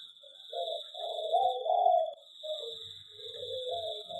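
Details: Zebra dove in an aviary giving its song: a burst of warbling, bubbling low coos swelling in the middle, then a quieter trailing phrase, over a constant high-pitched hum.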